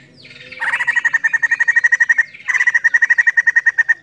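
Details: White-crested laughingthrush, a female, giving a fast run of bright, even chirps repeated about eight times a second, pausing briefly, then resuming the same rapid series with little background sound.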